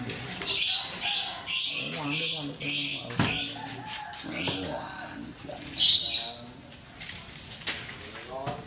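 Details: Ngekek from a prize-winning contest lovebird, Klaten, Indonesia: a run of loud harsh chattering bursts roughly twice per second, a pause, then one more burst and a thin high trill, with human voices audible beneath.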